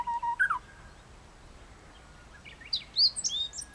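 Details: Japanese bush warbler singing on a morning at Lake Tanuki, Fujinomiya, at 7:56 on 1 May 2017. A steady low whistle runs into a quick twisting flourish, then after a quiet pause come high, sharp chirps from other birds.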